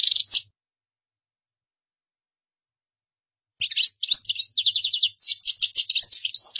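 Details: A short twitter is followed by a long silence, then a goldfinch bursts into a quick, jumbled series of bright chirps and trills that runs to the end.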